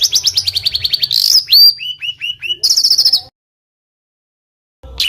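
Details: Rough rolling bird song for training competition fighter birds: a fast high trill, a shrill squeal, four descending hooked whistles, another rapid trill, then over a second of silence before a final burst.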